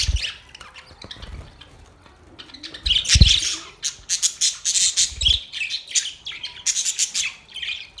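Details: Chirping Australian parrots, quiet at first with scattered notes and low knocks, then from about three seconds a rapid run of sharp, scratchy chirps, roughly four per second, continuing to the end.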